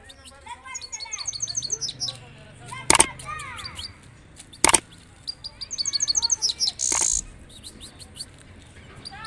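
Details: Saira, the European goldfinch, in balkashal song: quick high tinkling trills and twitters, mixed with lower swooping notes from other birds, two sharp clicks and background noise.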